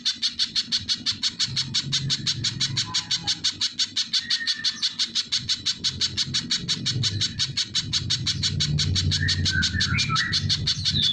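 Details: Rapid, high, sharp notes from a little spiderhunter continue at about three per second over steady low rumbling noise. A few brief whistles from another bird are heard later.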